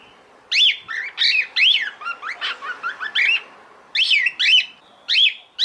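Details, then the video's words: Female cockatiel calling to the male, soliciting mating: a run of about fourteen loud whistled notes, each sweeping up and then down, delivered in quick clusters with short pauses between them. The setting is otherwise quiet. "Fêmea Calopsita - Fêmea Chamando e Macheando para o Macho"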